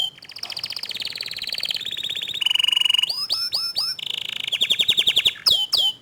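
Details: Canary song as young canaries respond to a nonstop-singing canary: a varied run of buzzy high trills, a steady pure whistled tone, quick swooping upslurred notes and fast rattling phrases, changing every second or so.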